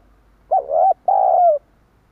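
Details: Spotted dove call played to draw in wild doves, two loud, low, mellow coos, the first short and the second longer and gently falling, in a quiet setting.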